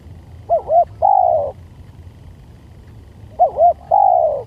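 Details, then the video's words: Spotted dove call used as a lure sound: two repeated phrases, each a pair of short warbled coos followed by a longer, smooth, slightly falling coo, low-pitched and clear, with faint low background hum. "Panciingan Tekukur"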